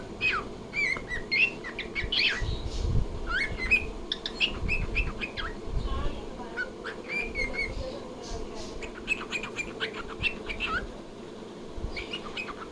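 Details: A pet cockatiel chatters in quick, bright whistled chirps and warbling notes over a low indoor rumble.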